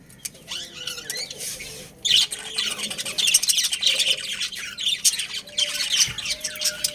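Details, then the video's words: A breeding pair of pet budgerigars: soft scattered chirps at first, then from about two seconds a loud, busy stream of buzzy squawks and warbled chatter that keeps going to the end. "Adorable Budgies Chirping Sounds"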